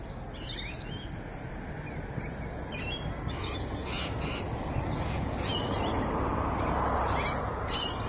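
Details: Rainbow lorikeets, Evans Head, 26 May 2012, giving rapid, regular shrill screeches, about four a second, while a broad rushing background noise swells through the recording.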